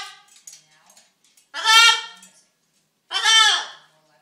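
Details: Pet macaw vocalizing to get attention while hungry: two loud, harsh, strongly harmonic calls about a second and a half apart, each swelling then fading, with faint softer chatter beforehand.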